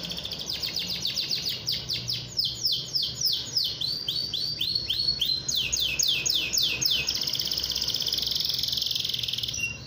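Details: Canary in loud, lively song used to draw rival canaries into singing: fast repeated falling whistles, roughly three to four a second, then a long high buzzing roll near the end, with faint low hum behind.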